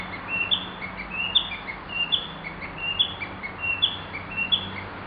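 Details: Narcissus flycatcher song recorded over ten years ago: short whistled phrases rising and falling between mid and high pitch, repeated steadily about once a second, with an upward-flicked high note in each, over a soft hiss.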